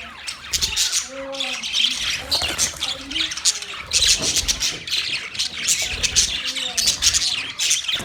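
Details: Continuous budgerigar chirping, a thick layer of sharp high twitters and scratchy chatter, with occasional short lower curved whistle-like notes breaking through.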